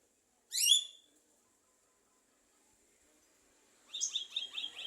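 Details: Javan myna, a vocal bird said to talk and to imitate a woman, a mother drinking coffee and a father's cough. One loud, harsh, harmonic burst, a long silence, then a rapid run of short, repeated, scratchy notes.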